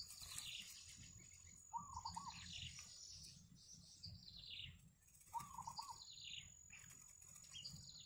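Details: Wild yellow bittern family at the nest with chicks: two bursts of quavering, wavering chatter alternate with high, squeaky notes that slide downward, repeated a few times, over a steady thin high-pitched whine and low background rumble.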